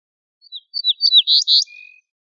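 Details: Wild ortolan bunting song phrase: scattered sharp descending chirps building into two strong, rough sustained notes, then a faint low steady tone trailing off; nothing else heard.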